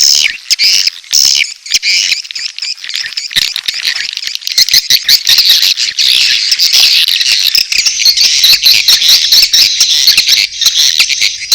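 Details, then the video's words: Edible-nest swiftlet mating calls blended with chick calls, a busy high-pitched chatter of rapid buzzy chirps that thickens into a continuous twittering wash in the second half. "SP.BIRAHI+ANAKAN+RBW 1 ( LINK LANGSUNG DOWNLOAD MP3 SUARA WALET DI DESKRISI)"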